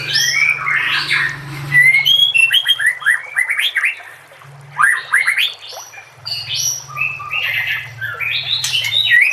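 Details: White-rumped shama delivering a dense, fast medley of whistles, trills and sharp chips, with a steady low hum underneath for much of the recording.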